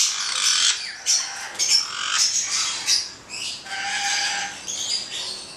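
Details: A pair of black-headed caiques gives harsh, broadband squawks in short bursts of about half a second, several in a row. A lower, steadier tonal note runs near the end.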